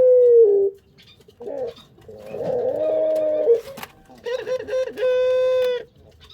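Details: Barbary dove from breeding stock: a clear coo falling at the end, then a rough, rolling, throaty phrase, a sharp click, and a final buzzy, sustained coo, heard close up indoors.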